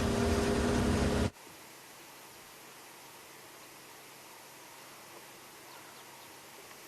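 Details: A loud burst of broadband noise with a steady hum for the first second, then only faint, quiet background hiss with no animal calls.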